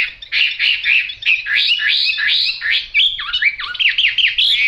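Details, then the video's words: Yellow-billed, yellow-legged Chinese hwamei in full song: a fast, unbroken stream of loud slurred whistles, with rising and falling phrases repeated in quick succession and some deeper dipping notes midway. "Họa mi mỏ vàng chân vàng"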